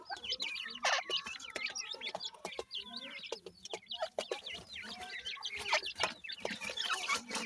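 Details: Teetar (francolin) young being fed: continuous rapid twittering of high, wavering peeps from many chicks, over three notes a second, with soft lower clucks and scattered clicks.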